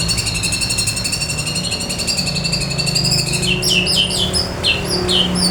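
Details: Male white-rumped shama from Lamteuba singing: a fast, rattling run of high, bright notes repeated several times a second, then clear sliding whistles in separate phrases, over a steady low hum.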